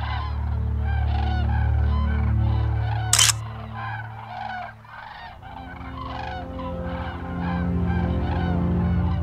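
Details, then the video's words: Cranes on migration calling as they fly, many short trumpeting notes rising and falling in a busy chorus, over a constant deep droning tone, one brief click-like burst midway. "Magical flight of migrating cranes"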